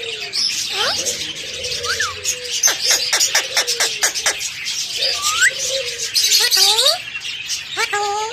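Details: A talking parrot, kept as a pet, gives curved harmonic whistles and speech-like syllables between a series of sharp clicks, with busy high-pitched chirping behind.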